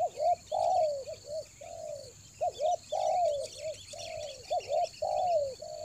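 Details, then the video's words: Spotted dove cooing as a lure bird used to attract wild doves in the rainy season, Toba. Low mellow coos come in repeated phrases of short and drawn-out notes, with steady high insect hiss behind. "TEKUKUR PIKAT RAJA ANGGUK"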